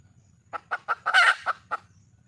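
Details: Red junglefowl hen in the wild, calling for a mate: several spaced clucks, a loud harsh squawking burst in the middle, then two more clucks.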